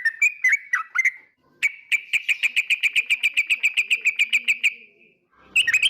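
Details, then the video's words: Yellow-vented bulbul: a few quick slurred whistles, then a long steady trill of evenly spaced sharp notes repeated about four times a second for over three seconds, ending with a bright burst. "Suara Trucukan bikin emosi lawan || Burung Trucukan 2024"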